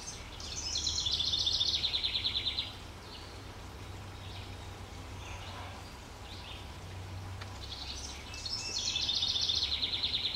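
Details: Young robin outdoors, uttering two bursts of high, rapid twittering chips, each about two seconds long, separated by a quiet gap with low rumble and faint distant bird notes.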